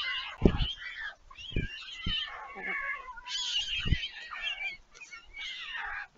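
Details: Young white storks at a nest at Leemansmolen, Vriezenveen, Netherlands, on 11 July 2022. After flying out, the siblings return when they see a parent on the nest, and they are fed. Wavering, mewing, cat-like cries overlap, with dull thumps beneath.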